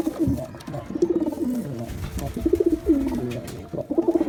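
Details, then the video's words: Cooing of male and female pigeons, meant to attract pigeons: several deep, bubbling coos that swell and fall, given in quick bouts about a second apart, echoing slightly in a small room. "Male & Female Pigeon Combo Attract Sound"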